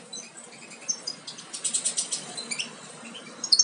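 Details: Nestling European goldfinches almost ready to fledge, bred from Major carrier and Parva Ancestral birds, give soft high chirps that build into a run of about eight rapid, evenly spaced squeaky notes, then scattered thin peeps.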